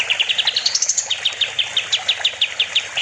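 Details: Olive-winged bulbul (kapas tembak) on a master recording for teaching other songbirds: a steady string of crisp, bright, slightly falling notes, about two per second, after a short rising run.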